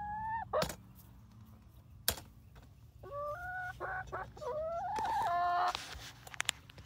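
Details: Flock of seven 19-week-old chickens, Barred Rocks and Gold Stars, near Iola, Texas: whistled falling and rising notes, a series of short squeaky calls, then a long rising trilled call, with sharp knocks.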